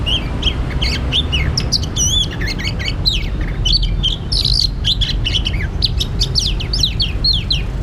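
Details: Oriental magpie-robin heard while being trapped, pouring out a long varied song of rising and falling whistles, twisting warbled notes and crisp chips, steady low-pitched noise throughout.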